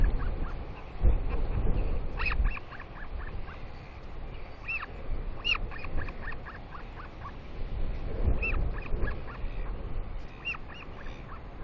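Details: Royal albatross chick at its nest in New Zealand, early morning on 29 July 2020, squealing excitedly as its mother arrives to feed it: bursts of short, squeaky, harmonic notes in quick runs, separated by pauses, over steady wind rumble.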